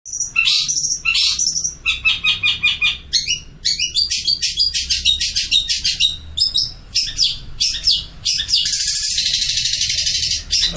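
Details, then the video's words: Long-tailed shrike, a Madura-type bird described as a first-prize champion, singing busily: harsh, rapid chattering phrases and repeated buzzy notes, ending in a long fast trill. "SUARA Burung Pentet / Cendet juara 1 Gacor"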